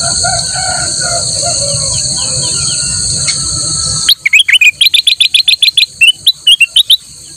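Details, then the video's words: Golden bulbul (kutilang emas) singing in full voice, a quick run of sharp, bright chirps, about five per second for three seconds, used as a tutor song for other birds; before it, a steady high insect-like whine with faint chirps. "kutilang emas gacor"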